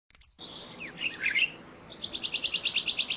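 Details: A perched male black-naped monarch at Purbasthali gives high, sharp chirps: first a jumbled burst, then a quick run of about ten ringing notes at an even pace.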